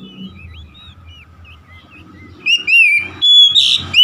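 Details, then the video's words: Oriental magpie-robin: soft, distant twittering at first, then loud ringing whistles and a harsh note in the final second and a half. A low background hum is present throughout. "KACER SETRES MACET BUNYI LANGSUNG GACOR"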